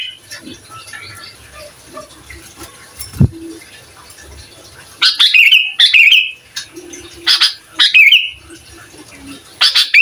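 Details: Sooty-headed bulbul singing in a prized master recording meant to provoke other bulbuls: short bright descending whistled phrases around the upper middle register in bursts after a quiet start, with a sharp click near three seconds.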